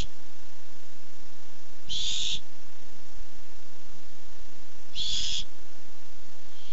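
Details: A barn owl looking for food, filmed by a nest camera on 8-7-15, gives two rasping, noisy screeches about three seconds apart, with a faint low hum between them.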